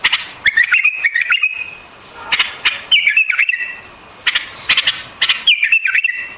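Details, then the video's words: Repeated warbling phrases from a white-eared bulbul, each beginning with a clicking burst and running into tumbling, slurred whistles that drop and recover, with short silences between. "Singing of White-Eared BULBUL, The beautiful sound of White-eared bulbul, صوت البلبل أبيض الأذنين"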